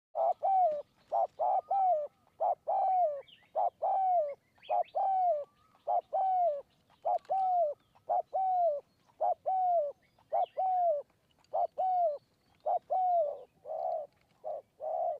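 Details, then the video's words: Spotted dove in hill forest of Kanchanaburi, Thailand, heard during decoy trapping. It gives a long run of short, mellow, two-toned coos, almost one per second for fifteen seconds, each with a slight dip in pitch. The background is quiet. "คูบนคอน คูยาวมาก 170 คำ"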